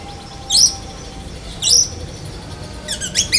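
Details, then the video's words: Black-breasted White-rumped shama imitating a lovebird: two sharp high squeaks about a second apart, then a quick cluster of rapid chirps. "Kacer DAHIT besetan kapas tembak sambung lovebird"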